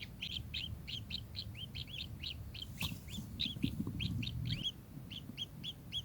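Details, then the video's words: Kingfisher giving repeated curved, upslurred chip notes at a brisk pace, with a sharp click near the middle and some low rumbling noise. "burung tengkek"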